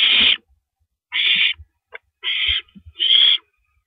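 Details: Owl at night, 1:27 AM on April 9, 2012, as a female swallows a rabbit; four harsh hissing screeches about a second apart, mixed with soft low bumps and clicks.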